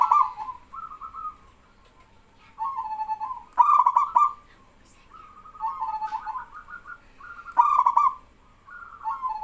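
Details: Male local zebra dove (perkutut) singing, drawing answering calls from other doves: repeated phrases of soft rolling coos each ending in a loud stuttered burst, about every two seconds, with quieter coos from other birds between.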